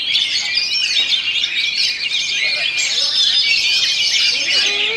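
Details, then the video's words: Continuous high, crowded warbling and trilling from an Oriental magpie-robin (kacer) in the 'rolling stone' rolling style, with scattered squawk-like notes and a few low curved whistles toward the end. "KACER ROLLING STONE TAHAN BANTING"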